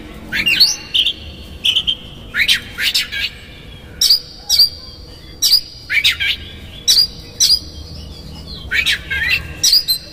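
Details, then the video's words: Lure song of an Oriental magpie-robin, konslet style with rough fill, used to agitate rival magpie-robins: quick swooping whistles and buzzy scratchy bursts in short phrases roughly every second, plus steady high thin notes. "PANCINGAN Kacer GACOR seketika Buka Ekor KONSLET bongkar ISIAN KASAR agar KACER emosi"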